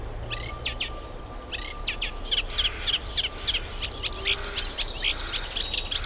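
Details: Reed warbler singing at a UK nature reserve during nesting season; jerky chattering phrases of scratchy repeated notes, growing louder midway, with a faint steady tone and low rumble behind.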